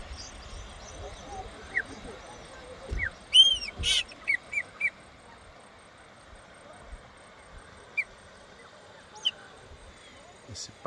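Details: Wild chopi blackbird at the head of the Casca d'Anta waterfall, São Roque de Minas, Brazil, giving clear, liquid whistled notes and short slurred phrases at irregular intervals, richest near the middle, over a steady wash of rushing water.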